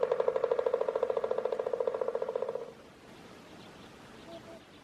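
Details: At sunrise on 28 February 2018 in Nevis, Minnesota, with Trumpeter Swans present, a Pileated woodpecker gives a fast, even run of loud, hollow notes, about nine a second for under three seconds, then fainter calls in the background.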